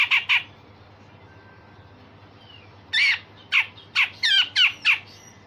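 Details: Grey-cheeked bulbul, used to train other songbirds, with two quick harsh notes, a pause of over two seconds, then a ragged burst of six or seven buzzy, slurred calls.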